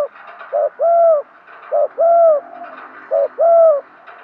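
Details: Spotted dove used as a decoy to call in wild doves: three evenly spaced phrases, each a short low coo leading into a longer, smooth, downward-arching coo, over soft background hiss.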